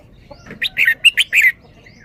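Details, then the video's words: Caged red-whiskered bulbul in Thailand showing off its 'berl-berl' song style: a quick phrase of five bright, slurred whistled notes, rising and falling, over a quiet background. "นกกรงหัวจุก จ้าวมารวย แบบ เบิ้ลเบิ้ล"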